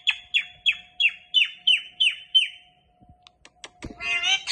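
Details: Pet Indian ringneck parakeet uttering seven shrill, descending chirps in quick succession, then a few clicks and a burst of warbling, raspy chatter at the end over a faint constant hum.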